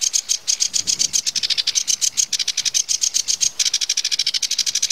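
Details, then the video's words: Sedge warbler in full song, a fast, scratchy, churring chatter of closely packed notes that speeds up and slows in turns, with a short break midway. "Камышевка-барсучок — Acrocephalus schoenobaenus"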